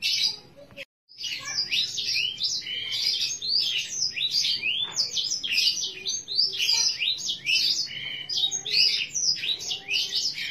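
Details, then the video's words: Bottle-green canary singing a long, unbroken stream of bright, high chirps, rolling trills and quick twittering phrases, with only a brief pause near the start. "kenari ijo botol suara unik"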